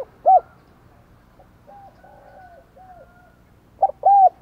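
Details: Decoy spotted dove, 'đồng còi' voice, calling to lure wild doves: a lone arched coo, faint distant cooing, then a loud double coo at the end.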